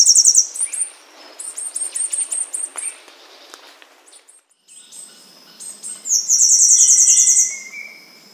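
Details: Temminck's seedeater (Sporophila falcirostris), a vulnerable Brazilian native, singing very high, thin, insect-like buzzy notes in quick repeated bursts; Temminck's seedeater.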